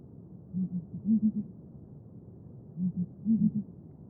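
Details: A Southern ground hornbill, held sacred by the Xhosa as the rain bird, booms low and resonant. Two phrases are heard, each a short pair of hoots leading into a louder triple hoot, against faint background hiss.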